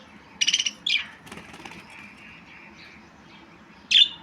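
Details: Budgerigar with a fast rattled chirp, then a slurred call, a long quiet stretch, and one sharp final chirp.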